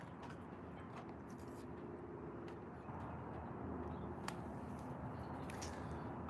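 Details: Distant vehicle rumble with a few sharp clicks and soft outdoor noise, and no clear animal call.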